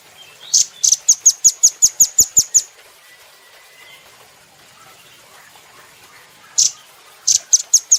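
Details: A rapid run of roughly ten shrill, high chit notes opens this velvet-fronted nuthatch recording made for cage-bird training, followed by a quiet pause and a few further sharp notes near the end.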